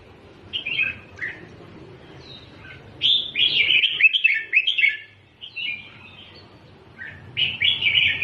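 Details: Red-whiskered bulbul song in the doubled style used for teaching chicks to sing: four bursts of bright, liquid warbled notes, each phrase rolling and bubbling over a steady low hum.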